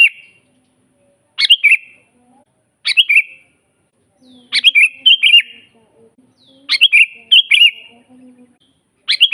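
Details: Sooty-headed bulbul in full lively song for training captive birds: repeated short phrases of liquid chirping notes, some single and some doubled, spaced one to two seconds apart, faint low humming between.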